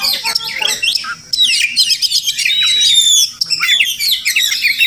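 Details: Wild Oriental magpie-robin visiting a home each morning, possibly nesting nearby, gives a melodious, varied song of high whistles, sliding notes and harsh chattering phrases, nearly continuous with a brief pause near one second.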